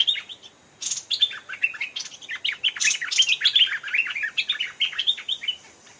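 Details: An old wild Stripe-throated Bulbul near a cliff gives a busy, chattering song of bubbly, slurred, mostly high bright notes running almost continuously, with a second bird seemingly answering.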